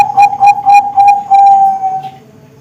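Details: Bangkok zebra dove young birds singing, used for contests and breeding: a rapid string of pulsed whistled coos flowing into a long, level note that fades out.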